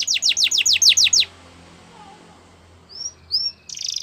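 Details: Yellow canary in the wild gives a brief burst of quick downslurred sweeping notes, a quiet pause with low background hiss, then two thin rising whistles and the start of a buzzy trill.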